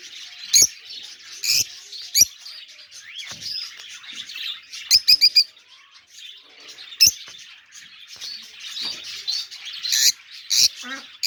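Budgerigars chatter steadily in high, scratchy warbles broken by sharp clicks and quick squeaky chirps.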